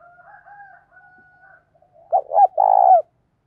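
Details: Spotted dove morning call in the 'thổ' style with 'thúc gù', used to lure wild doves. A soft, steady, humming coo comes first, then a single strong phrase of two short coos and a drawn-out throbbing coo.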